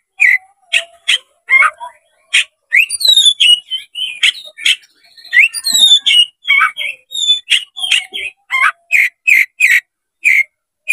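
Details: Oriental magpie-robin (kacer) fanning its tail, its song used to provoke a rival into fighting: dense run of sharp whistled notes and slurred chirps, some high descending whistles, with brief pauses between notes.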